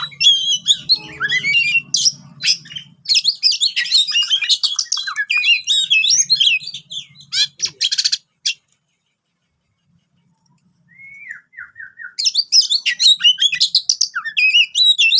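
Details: Lure for lazy-singing kacer (Oriental magpie-robin): rapid, energetic song of mixed whistles, harsh chips and warbled phrases, a faint low hum beneath at times, a quiet pause mid-clip broken by a short descending whistle series, then the busy singing resumes.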